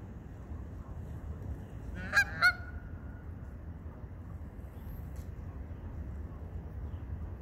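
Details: Geese at a park; two short nasal honks sound close together about two seconds in, set against a steady low rumble of background noise.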